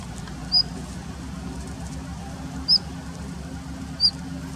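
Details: Daurian redstart wintering in a plum grove it holds as territory, late February 2021: three thin, high whistled notes spaced irregularly over a low steady hum.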